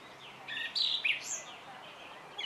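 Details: Song thrush song, a single short phrase of high clear notes with a brief upward whistle, fairly faint against steady background noise.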